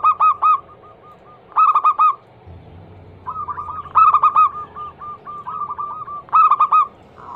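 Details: Female zebra dove of local stock, calling for a male as a lure song: loud bursts of rapid, clipped coos recur every couple of seconds, separated by softer trailing strings of repeated notes.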